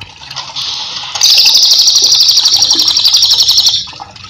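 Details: Cililin in full song, used as a master for training cage birds: a brief softer note, then one sustained high, rapid, pulsing trill of roughly two and a half seconds, with faint water in the background.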